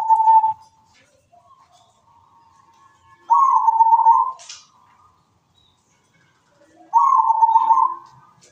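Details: Zebra dove song: loud, rolling, echoing coos near one pitch, given in three bursts of about a second each with quiet gaps between them.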